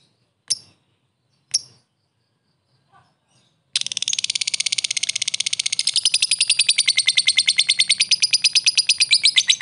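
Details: Lovebird in 'ngetik ngekek' style, a lure to provoke a response from fighter lovebirds: two sharp isolated chips, then a long continuous high rattling chatter of rapid repeated notes, about three per second, growing louder.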